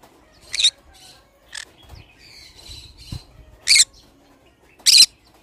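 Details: Pet pineapple-coloured green-cheeked conure giving four short, loud, harsh squawks spaced irregularly about one to two seconds apart, with faint softer chirps and low thumping noises in between.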